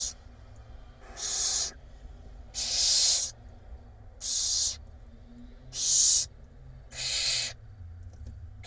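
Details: Barn owl chicks at a nest box in Israel, hungry and being fed by their mother, recorded by a live nest camera in April. Harsh, broadband hissing screeches come in bursts of about half a second, roughly one per second.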